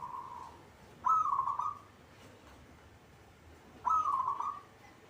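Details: A kept local zebra dove giving two soft, rolling cooing phrases about three seconds apart, each under a second long and mid-pitched, with a fainter coo at the start.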